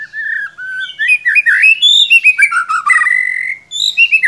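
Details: Caged white-rumped shama singing loudly a continuous stream of warbled, mimicking phrases with rising and falling whistles and quick rattling notes.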